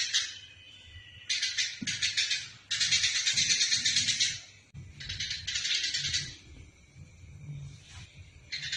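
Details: Eurasian tree sparrow fighting, a recording used to train songbirds: several bursts of scratchy chatter separated by short gaps, the longest about two seconds, with fainter chirps between.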